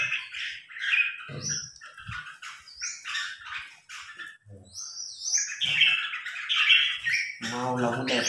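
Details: Red-whiskered bulbul, newly acquired and in training, in a singing contest against a top provincial-ranked bulbul: busy chirping and whistled notes, quickly repeated, over background chatter and low knocks.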